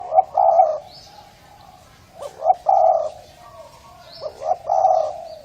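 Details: Spotted dove of a Thai line with a hoarse voice, cooing to excite males and females, recorded in 2020; low husky coos in short phrases, each ending in a longer drawn-out note, repeated about every two seconds.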